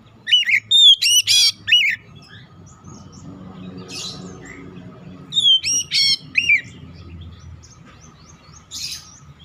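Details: Oriental magpie-robin giving calling tones: two bursts of loud, harsh, rasping notes mixed with whistles, separated by a quiet stretch with a low steady hum in the background.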